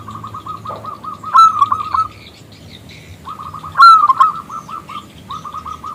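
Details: Local zebra dove calling a male to answer in song: long steady strings of rapid, soft staccato coos, twice broken by a louder, bright trilling phrase, then resuming the repeated cooing.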